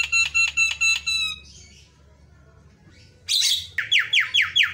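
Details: A very vocal Javan myna sings a run of six nasal, buzzy notes, a soft mew, then after a pause a harsh burst and five quick rising chattered notes.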